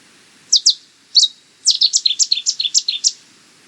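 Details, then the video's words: Loud, clean Cetti's warbler song: two sharp introductory notes, a brief pause, then an explosive string of about ten quick, ringing staccato notes in a silent background. "Cetti's Warbler - Songs"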